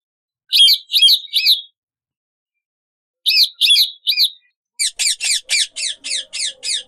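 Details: Pet rose-ringed parakeets playing together: two bursts of three harsh, high squawks, then a fast series of about eight sharp, evenly spaced chirps.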